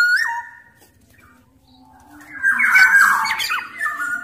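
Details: Black-naped oriole from Sumbawa, larger-bodied form, calling keenly in a recording used to set other orioles calling. A short looping whistle starts, a near-silent pause follows, then a loud grating squawk and a closing whistle.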